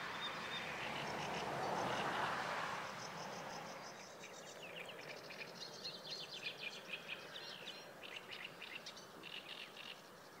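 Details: Sedge warbler singing by the Kyjovka stream at Lanžhot on 15 May 2016: a fast, varied run of harsh chattering notes and dry trills, starting after a few seconds of rushing wind.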